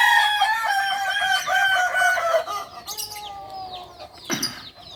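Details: A kukuak balenggek chicken, the native breed of Solok, West Sumatra, finishing a long harmonic crow that wavers steadily for nearly three seconds before fading. Sharp chirps of small birds follow.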